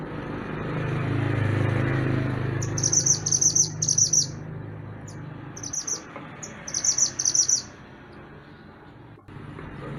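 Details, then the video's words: A master recording for tutoring songbirds catches a mantenan gunung in full song. It gives bursts of rapid, shrill, chattering notes in short phrases separated by brief pauses, over a steady low rumble of background noise. "Mantenan Gunung Gacor Burung Masteran Untuk Burung Kicau"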